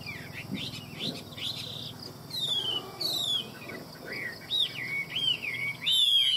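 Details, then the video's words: Varied, energetic hwamei song from Vietnam: quick chattering notes, then sharp descending whistles and wavering, warbled phrases ending in a loud rising flourish. "Hoa mi hót giọng hay"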